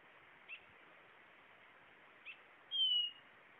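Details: Blue-naped chlorophonia song: two faint, soft notes, then one clear, high, thin whistle that slides slightly downward, over a steady background hiss.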